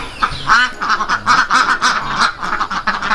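A domestic duck gives a run of loud, nasal, raspy quacks in quick succession, about three or four per second, with little else heard.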